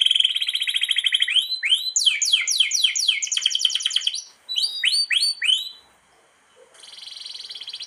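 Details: Canary long-roll master song for training reluctant singers and poor breeders: an opening trill, choppy sweeping phrases, a short burst of swoops, a quiet gap, then a soft high trill.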